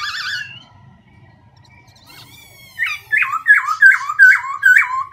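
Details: Constantly shifting song of a Black-throated laughingthrush: an opening wavering whistle, a near-silent pause, then a series of about seven loud, rapidly repeated downslurred whistled notes.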